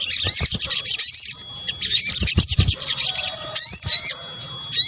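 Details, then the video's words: Sunbird, sogok ontong in Indonesia, a lure call: fast high twittering, then repeated sharply rising whistled slurs, with soft low knocks beneath. "kombinasi suara sogok ontong"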